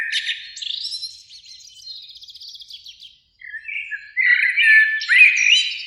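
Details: Eurasian blackbird song from a beech tree beside a lake on a spring evening, two birds singing; scratchy high twittering trails off into a brief silence before mellow warbled whistles resume.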